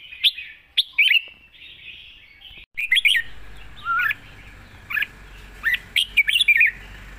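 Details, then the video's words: A red-whiskered bulbul sings a light-voiced, long-phrased wild-style song as a string of short whistled, slurred notes roughly every second, with a low background hum starting partway through. "เพลงป่าๆ สำนวนยาวปากเบา ฟังเพลิน#นกกรงหัวจุก"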